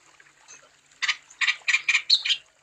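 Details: After a near-silent second, a wambi delivers a short run of six loud, rasping, buzzy notes with a sharp whistled accent, played as a lure to encourage other wambi birds to sing.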